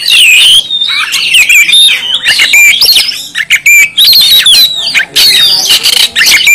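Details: Oriental magpie-robin from Kalimantan singing vigorously in gacor style: a loud, dense run of varied whistles sliding between high and middle pitch, mixed with sharp clicks and harsh chattering notes, with short pauses.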